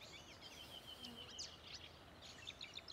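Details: Marsh warbler singing from bushes at Älvkröken on the Ljungan, Njurunda, 14 June 2021: a fast, varied medley of high chirps, trills and slurred whistles over steady hiss. A fieldfare joins in with its chattering.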